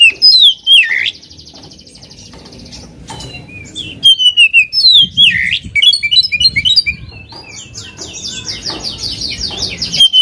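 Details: Oriental magpie-robin in full, vigorous song, used to provoke and agitate a rival bird: loud, high whistled phrases sliding downward, then a long run of rapid chattering and varied notes with brief gaps.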